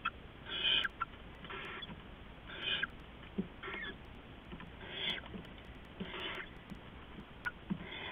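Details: Pre-dawn owl nest, 15 November 2015, an adult moving in and out with rats for the owlets; a run of about eight rough, noisy hisses with scattered clicks and scuffling.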